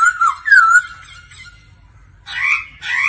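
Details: Laughingthrush at daily singing practice, kept alongside a female: clear whistled phrases that slide up and down, a pause, then bursts of louder, rougher, buzzy warbled notes.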